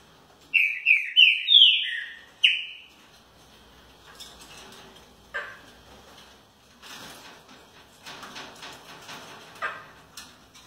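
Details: Captive Green-winged Saltator (trinca-ferro) in Rio de Janeiro gives a brief, loud phrase of four or five rich, slurred whistles that fall in pitch, followed by faint chirps and scratchy background sounds.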